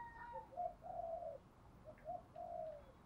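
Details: Female spotted dove cooing in windy, rainy weather, played to get decoy and wild males calling; soft, low hollow coos in short groups, the last notes drawn out, faint against a hissy background.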